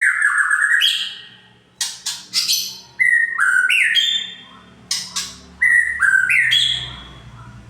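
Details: White-rumped shama song used as a lure to make other shamas agitated: loud, rich whistled phrases sliding between low and high notes, separated by short pauses, with sharp rising flourishes and faint low hum beneath.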